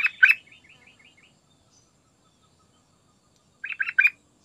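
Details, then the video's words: Sooty-headed bulbul singing, intended as a lure to make other birds sing: short bubbly phrases open and close the stretch, with a run of soft rapid trilled notes between and quiet gaps. "Trucukan Gacor Isian Istimewa Buat Pancingan Agar Cepat Bunyi"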